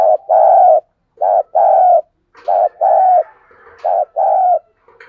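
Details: Decoy spotted dove calling to provoke a response in the 'thúc bổi' manner: deep, rounded coos in short-long pairs repeated about every 1.3 seconds, with faint softer notes between the pairs.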